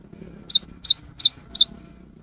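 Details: Afternoon song of a cinereous tit, a song said to draw other tits into singing: four sharp, high, two-part notes in quick, even succession, each a falling then rising whistle.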